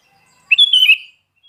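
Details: Sooty-headed bulbul in full song gives a single loud, liquid phrase of several quick warbled whistles that rise and then drop, about half a second long, against a quiet background.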